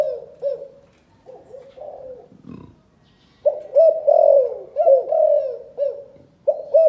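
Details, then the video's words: Chụp chụp ô style calling coo from a spotted dove in Cần Thơ, Vietnam: quiet warbled coos, a brief thud, then a loud run of throaty, rolling coos ending in short notes. "Chụp chụp ô gáy gọi Thái Vân hoa : Cu gáy Cần Thơ"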